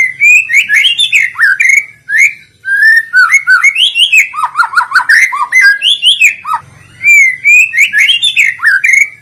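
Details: Lure song of a white-rumped shama for drawing trotol, pastol and other shamas into song: long, fast, varied whistled phrases, slurred and chattering, with only brief breaks.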